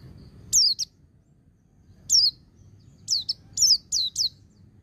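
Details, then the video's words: White-eye singing ngecir sambung ngalas for song training: an isolated pair of sharp falling whistles, a single note after a long pause, then a quicker cluster of five high notes, with faint soft peeps and low rumble. "Suara Burung Pleci Ngecir Sambung Ngalas 1234 Ketukan"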